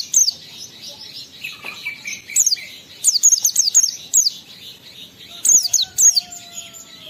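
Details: Oriental white-eye singing ngalas style as a lure to excite other white-eyes: rapid runs of high, twittering, falling chirps, a soft warbled undertone between phrases, and a low steady whistle near the end.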